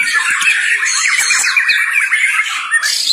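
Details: White-rumped shama singing competitively with tail flicking: a dense, fast stream of high whistled and chattering notes, bright sweeps and trills running continuously with no pause.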